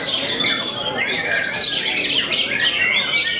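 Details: Famed white-rumped shama that makes many rivals back off, giving a quick run of bright arched whistles and fluty slurs over continuous busy chatter.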